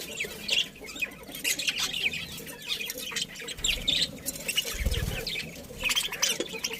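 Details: Pet budgerigars chirping while enjoying breakfast: a dense, continuous chatter of short, scratchy, high chirps and warbles, overlapping throughout, with a few soft low thumps and rustles underneath.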